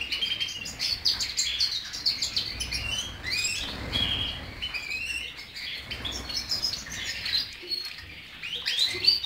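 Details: Fast, chattering song of a European goldfinch, many short high chirps and tinkling notes strung together with buzzy trills and brief whistled slurs, steady throughout.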